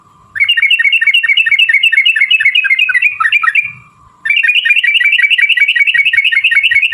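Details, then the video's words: Sooty-headed bulbul in a long 'ropel' run used to provoke rival birds: loud, very fast rattling trills of repeated notes, a short pause with a steady hum, then the trill resumes. "trucukan gacor TARUNG ROPEL PANJANG pancingan trucukan agar bunyi"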